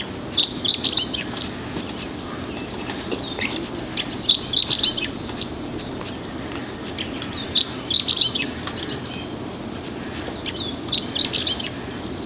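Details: A Chestnut-eared Bunting singing at Oku-Nikko, Japan, repeats a short, high, scratchy phrase of quick chipping notes about every three and a half seconds, with faint notes between.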